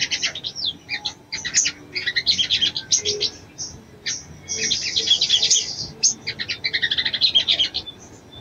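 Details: Female sogon calling a male to arouse him for mating: rapid bursts of high, chattering chirps and short trills, with brief pauses between phrases.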